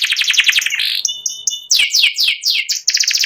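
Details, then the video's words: Ngeriwik song from a caged white panda canary prepared for contest: quick chattering notes, a pair of pure whistled tones, then a run of repeated downward-sweeping slurs and a final fast trill. "burung kenari putih panda ngeriwik"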